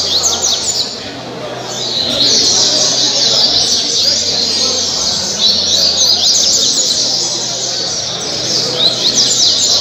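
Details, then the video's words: Double-collared seedeater from Angra dos Reis, Brazil, delivering caribe song: brief pause, then a long run of sharp, rapid high chips and slurred whistles, repeated in dense phrases against background noise. "Coleiro caribe 226 cantos o melhor coleiro de angra"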